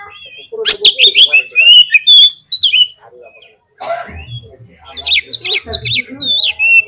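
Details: Oriental magpie-robin song used as a lure to get a bird singing in the field. Rich, rapid whistled warbling with sliding notes and chips comes in two bursts separated by a short gap.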